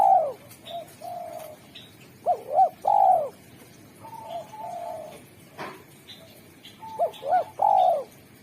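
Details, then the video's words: Singing Spotted dove (derkuku) with a sharp, clear, melodious voice used to lure wild doves: repeated loud phrases of two quick curved coos and a longer rolling note, answered by quieter level coos, one sharp click midway. "Derkuku super gacor suara tajam, jernih, dan merdu pandai memanggil tekukur alam"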